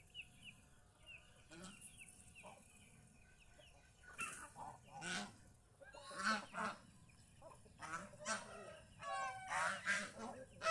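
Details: Domestic geese kept at home, out in the fields around the house and described as happy. After a quiet start with faint chirps from small birds, harsh, nasal honks break out in irregular bursts and grow louder toward the end.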